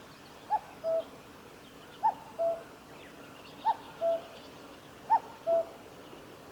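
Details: Common cuckoo at the Kitafuji Maneuver Area, 15 July 2019, repeating its falling two-note hooting phrase, higher then lower and longer, five times at roughly 1.5-second intervals, with faint background noise.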